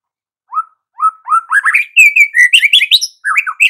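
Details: Energetic white-rumped shama song in the morning: soft single whistles building into a dense, loud stream of varied slurred and rising notes, ending with quick upward phrases.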